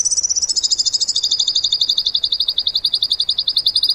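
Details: Bird song in the tembakan style, used as training material for cage birds: a high, rapid, dry trill that starts slightly higher and then settles into an even stream of sharp notes lasting the whole four seconds.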